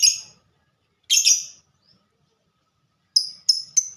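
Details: Lovebird singing ngetik as a fighter: two harsh, buzzy chirps, a silence, then three quick, clean high ticks close together.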